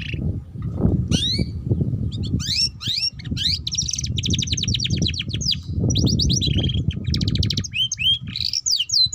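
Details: Lure song from a canary, meant to prompt young canaries to sing and learn ngeriwik: sharp upswept chirps leading into long rattling trills and looping whistles, against constant low background rumble.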